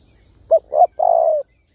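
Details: Spotted dove calling in the kích bổi luring style: one phrase of two short, soft coos followed by a longer, steady, hollow coo.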